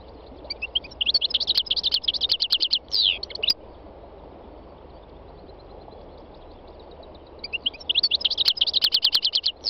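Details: Spring song of a three-year-old North African goldfinch in the northwest mountains of Tunisia, wild birds singing close by: rapid chattering trills of evenly spaced bright notes lasting about three seconds, a slurred nasal note, silence, then the trilling returns.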